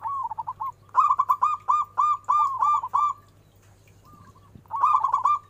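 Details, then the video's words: Local zebra dove, a big-voiced lure song meant to draw quick replies. Several phrases of rapid, bubbling staccato coos, each opening with a drawn note and breaking into quick bouncing notes, with a pause before a final phrase. A low steady hum runs underneath. "Full Suara besar perkutut Cepat respon!! Nyaut..."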